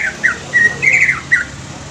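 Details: A young greater green leafbird, used to stimulate untrained leafbirds, gives a short string of soft slurred whistles and one longer warbled note over a faint hum.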